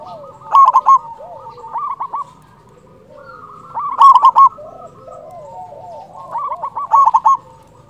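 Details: Zebra dove of local stock with a big voice, played to lure and excite other doves, repeats short staccato coo phrases several times. Lower, softer cooing from other doves overlaps throughout.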